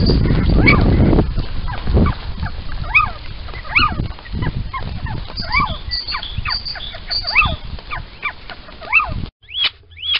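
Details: Little owls at a nest box in Sprundel, February 13, 2020, in the morning as both owls go inside. The birds give a run of short rising squeaky calls, about a dozen in nine seconds, with rustling and rumbling noise at the start.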